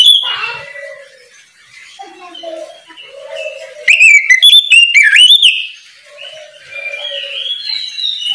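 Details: Oriental magpie-robin singing ngeplong in the morning, meant to make untrained birds start singing. Soft warbling and low whistles lead into a loud two-second flurry of rising whistles, followed by quieter chattering notes.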